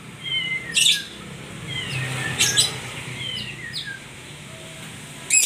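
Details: White-rumped shama mixing sliding whistled notes with sharp, rasping high bursts, phrases spaced a second or two apart, faint low hum behind.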